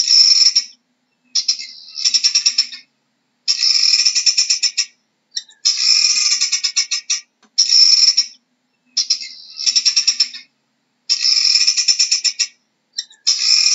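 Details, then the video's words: Guineafowl repeating a coarse, buzzy, pulsed cackle. Nine bursts of about one second each come at a steady pace of roughly one every one and a half seconds, and nothing else is heard. "How does a Guinea Fowl sounds"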